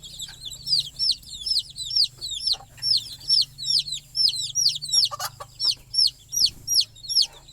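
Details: Chicks settling for the night with their perched mother hen call in loud, shrill, hooked peeps, repeated in quick pairs roughly two to three per second.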